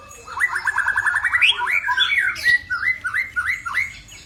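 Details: White-rumped shama, a caged bird, delivers a fast rattling series of chirps that runs into looping, warbled whistled phrases repeated several times.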